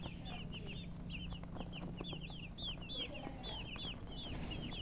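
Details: Chicks peeping in clusters of arched, high whistled notes that rise then drop, groups spaced by short gaps, with a constant low electrical hum underneath.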